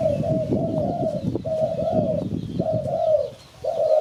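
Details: Spotted dove call played to lure birds for trapping: long, smooth, mid-pitched coos, each slightly arched, run almost back to back, with a brief silent pause near the end.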